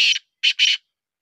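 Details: Black francolin of the Sindhi strain, a chakri-type bird: three hoarse, scratchy notes in quick succession, the first cut short and the last two close together, then quiet.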